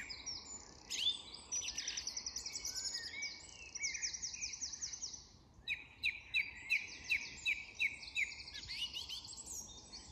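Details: Dusk song of a song thrush in English woodland, opening with a rapid run of high buzzy trills, then after a brief pause a crisp note repeated about seven times in even rhythm, dusk chorus faintly behind.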